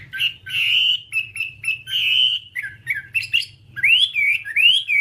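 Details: Whambie song for training birds: a varied string of whistled notes, some held and wavering, some short and chirpy, ending in rising slurred whistles.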